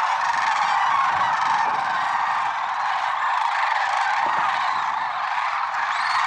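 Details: Early-morning flock of lesser sandhill cranes, Merced National Wildlife Refuge, February 6, 2023; countless overlapping trumpeting calls merge into an unbroken roar, with individual rattling notes briefly standing out.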